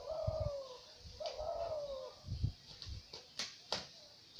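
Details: Dove calling: two drawn-out, smooth cooing notes, each sliding gently downward, followed by several soft thumps and sharp clicks with low rumbling in the background.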